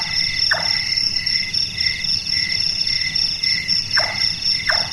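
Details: Large-tailed nightjar (Caprimulgus macrurus), active at night, giving its carpentry-like knocking: a single falling 'chonk', a long silence, then two more in quick succession, set against a constant shrill insect chorus.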